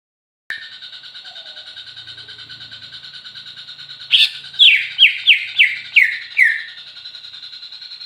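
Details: Greater green leafbird singing; a steady buzzy trill runs throughout, then at about four seconds a loud burst starts six rapid, sharply descending slurred whistles, each dropping in pitch, before the buzzing trill resumes.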